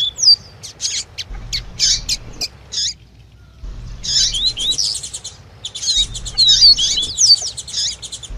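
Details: Double-collared seedeater singing in the tui tui style alongside female chirps, used to stimulate a male. High buzzy bursts and thin whistled slurs come in three groups separated by short pauses, with a faint low hum beneath.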